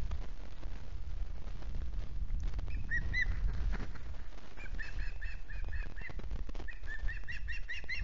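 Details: Osprey at the Loch Garten nest in Scotland on 15 August after a wet day, a hungry juvenile retiring: series of short clear whistled chirps in bursts, repeated quickly, over constant low wind rumble.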